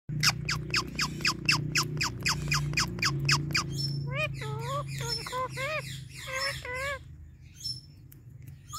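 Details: Pet Indian ringneck parrot calling while its owner touches it: a fast run of sharp, evenly repeated high chirps, about four a second, then a series of bent, nasal squawk-like notes with rising and falling pitch over a low background hum.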